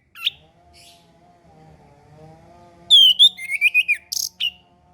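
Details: Orange-headed thrush song used as a training recording for young birds learning to sing and for birds reluctant to sing: one short high note, a pause over a faint low hum, then a quick burst of varied whistled and chattering phrases.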